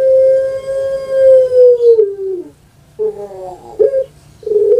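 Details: Long-voiced puter pelung dove kept as a pet in Java, Indonesia: a steady coo of nearly two seconds falling away at its end, followed after a pause by short, gurgling kwok notes.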